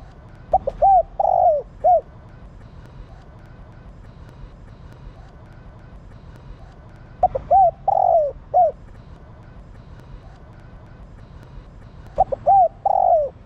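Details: Female spotted dove calling to stimulate males: three coo phrases about five seconds apart, each with quick short hooting notes, a long drawn falling coo, then a final short note; steady low background hum.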